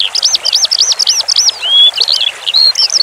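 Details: A Eurasian skylark sings a fast, high run of repeated arched chirps, about four in the first second, then breaks into varied slurred whistles and twittering.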